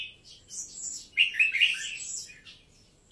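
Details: Red-whiskered bulbul of Vietnamese and Uttaradit lines: high thin notes lead into a loud, bubbly warbled phrase of three emphatic fluty notes, then fading chatter.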